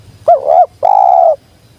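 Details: Spotted dove (tekukur) lure call: one short bouncing double-noted coo, then a sustained, slightly buzzy low coo of about half a second, close and clear with a quiet background.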